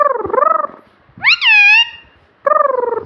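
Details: Pet rose-ringed parakeet speaking mimicked words: a pulsing, nasal low phrase, then a high rising-falling whistled syllable, and another pulsing nasal phrase at the end.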